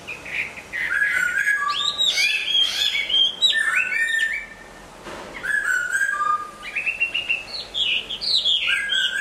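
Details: Hwamei in moult singing a long, varied sequence of loud whistles, trills and slurred notes, with a short lull in the middle before the song resumes.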